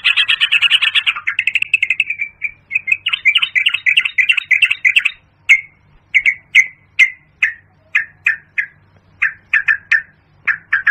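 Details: Yellow-vented bulbul, known locally as pirok pirok bird, calls played through a Bluetooth speaker to lure birds for hunting: a rapid, bubbly chattering burst, then short chirped notes repeated roughly every half second.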